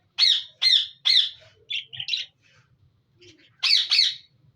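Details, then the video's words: Breeding-colony budgerigars: three loud, rough squawks, a few softer clipped notes, quiet, then two more harsh squawks close together. "Budgeis colony breeding || parrot voice natural sound"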